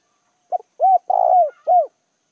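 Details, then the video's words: Spotted dove kept as a decoy, cooing to attract wild doves: one phrase of a short clipped note, then a hollow coo, a long rough drawn-out coo and a final falling coo, against silence. "Chim cu gáy gọi hay kích bổi chuẩn chim cu gáy mồi"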